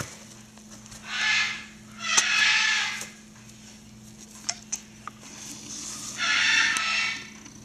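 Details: Two Blue-and-yellow macaw nestlings, 27 and 25 days old, being hand-raised, give three harsh, broad raspy squawks of about a second each, separated by quieter gaps with light clicks and tapping; steady low hum behind.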